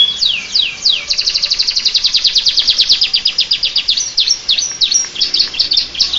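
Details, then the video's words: Canary singing in a style imitating the Bar-winged prinia (ciblek): a fast, high, dense trill of sharp downward-sweeping notes, about five or six per second. It opens with a few longer slurred sweeps and stays bright throughout. "Suara kicau burung kenari rasa ciblek"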